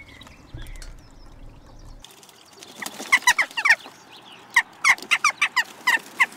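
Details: A group of wild jackdaws in a garden in Recke, Germany, on 7 May 2021, sharing the scene with pheasants and starlings; after a low thump, sharp metallic chack notes fire in quick irregular bursts from several birds.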